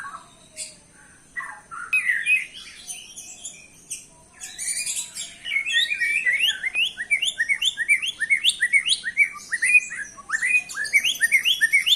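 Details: White-rumped shama song used as a lure to provoke other birds into answering: varied high whistled and chattering phrases, then a fast series of repeated rising notes in the second half.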